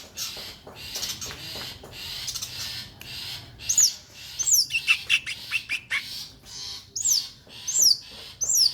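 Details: Long-tailed shrike, a contest-winning bird, singing scratchy chatter, then a run of thin, sharply falling high whistles repeated roughly every three quarters of a second, as part of its kingfisher-imitating bursts.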